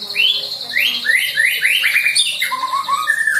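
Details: Newly moulted juvenile white-rumped shama learning fill-in song material: a quick series of upslurred whistles, repeated several times, followed by lower rising notes and a final sustained whistle.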